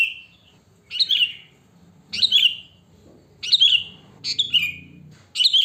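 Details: Wild sooty-headed bulbul singing naturally, song used to lure bulbuls; short liquid phrases falling in pitch, repeated about once a second, with low background murmur.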